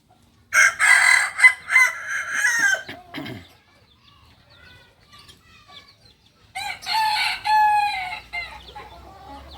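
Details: Singing kukuak balenggek chicken from Solok, West Sumatra: a loud, rich crow of several linked syllables lasting nearly three seconds, a quiet pause, then a second multi-note crow of similar tone rising again.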